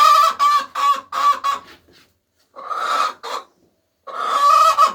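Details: Hens laying eggs cackle in loud, harsh clucks, a burst of five, a pause, two more, then a long raspy squawk.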